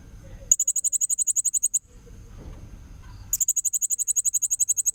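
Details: Blue-crowned hanging parrot from Kalimantan, a recording used to train young magpie-robins: two bursts of very high, rapid ticking notes, about four per second, separated by low background rumble.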